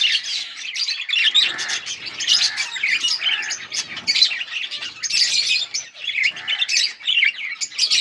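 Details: Yellow budgerigars recorded on August 20, 2024, keeping up a dense, continuous chatter of bright warbled chirps and scratchy twitters, with overlapping voices and no pauses across the whole stretch.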